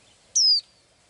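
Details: Blue-eyed little bird that sings every day, giving a single clear, high whistled note that slides downward and ends quickly in a quiet setting.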